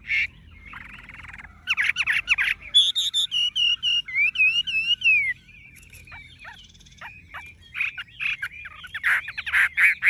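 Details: Tame Chinese hwamei with bright yellow legs, bill and plumage, singing nonstop: a rich, varied song of rapid chattering bursts, clear whistled phrases and rising-falling slurred notes, with brief pauses between runs.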